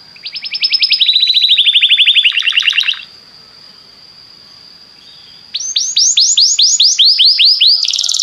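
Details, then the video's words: Singing Belgian canary meant to set other canaries off: a quick trill shifting into a lower rolling tour, a long thin steady whistle, then loud repeated downward-swooping notes at a brisk pace. "O canto do canário belga faz com que seu canário cante sem parar"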